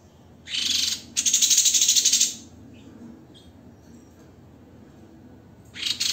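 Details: White-rumped shama (Copsychus malabaricus) giving harsh, rasping bursts of tight, rough song, a dense rattling run of about a second, then a pause and another rough burst.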